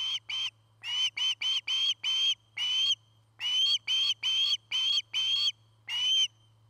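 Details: Osprey calling from its nest in Charlo, Montana, on a 2018 nest camera: around seventeen loud, whistled chirps in uneven bursts over six seconds, each slightly upslurred, with a quiet low hum beneath.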